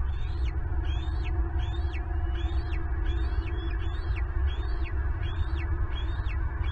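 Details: At a Southwest Florida nest watched by a live camera, a wild American bald eagle calls while an intruder steals a turtle meant for the eaglets: repeated high, sharp whistled notes in quick series over a constant low roar.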